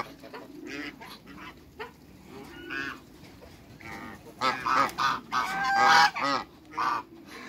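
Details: Quiet backyard murmuring from waterbirds, then a pair of giant African geese burst into a series of loud, nasal honks, some rising and stretched, before the calls fade again.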